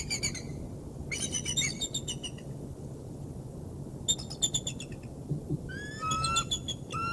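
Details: A bald eagle delivering prey to the Decorah North nest, 3 March 2019: clusters of rapid, high, stuttering chips separated by quiet gaps, ending in clearer drawn-out whistled notes, with low-frequency hum underneath.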